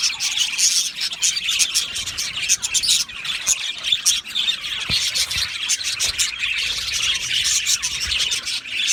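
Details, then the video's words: Budgerigars in an aviary colony, a dense continuous chorus of high chirps, squawks and warbling chatter from many birds at once, with sharp clicks scattered throughout. "Beautiful Budgie singing and chirping sounds"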